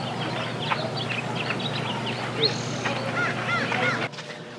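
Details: House finch in Filoli Gardens singing a fast, jumbled warble of bright, sliding high notes lasting about two seconds, then a few scattered notes over a low steady hum.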